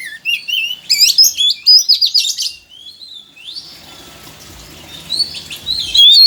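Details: Oriental magpie-robin song used to stimulate a lazy, quiet bird into singing: a fast jumble of high whistled twists and chirps, a softer noisy middle, then thin rising whistles at the end.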